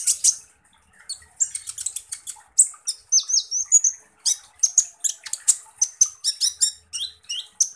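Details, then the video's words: Van Hasselt's sunbird, known in East Java as kolibri ninja, singing a fast, harsh string of high sharp chips and short thin whistled notes, some dropping or rising, delivered in quick bursts with brief pauses. "SUARA BURUNG Kolibri Ninja Full Tembakan Kasar"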